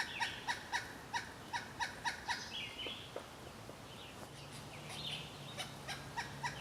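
Pileated Woodpecker giving loud, hollow, evenly spaced 'cuk-cuk-cuk' notes in two bursts, about four per second; other birds chirp softly behind, with a low engine-like hum.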